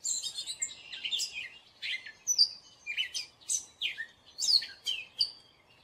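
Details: Gray catbird singing a varied jumble of short squeaky, chattering phrases, high and scratchy, each burst separated by brief pauses, in quiet surroundings.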